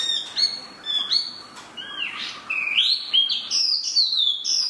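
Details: Spot-throated babbler (tieu mi) giving loud clear whistled phrases, sliding notes that rise and fall, delivered in quick varied bursts with a faint rustle behind.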